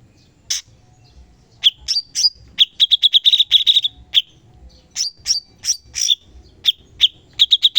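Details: Sooty-headed bulbul (cucak cungkok) training recording in the full 'tembakan pedas' style: sharp, high, clipped chirps in bursts, including a fast run of about a dozen rapid identical notes, separated by short pauses, on a clean quiet background.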